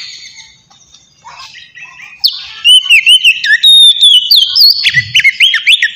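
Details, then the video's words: White-rumped shama in a relaxed, open-voiced song used as a lure for wild birds; after quiet opening seconds, loud clear whistled notes start, sliding up and down in quick phrases with sharp high chips above. "suara kacer ngeplong santai sangat cocok buat mancing kacer bahan"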